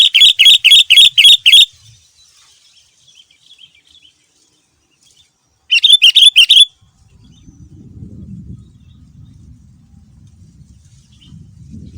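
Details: A male sooty-headed bulbul, singing a lure meant to set other bulbuls answering, gives two loud bursts of rapid, ringing chirps, about four notes a second, separated by quiet, then low rustling noise.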